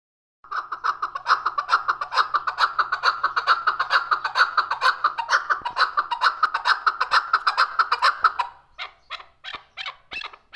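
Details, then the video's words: Chukar partridge, described as a wild hunting bird, giving a rapid run of harsh clucking notes, about two per second, that merge into a dense chattering stream before breaking into separate sharp chuks near the end; recorded indoors, June 18, 2023. "mast shakari chakor voice. zark awaz"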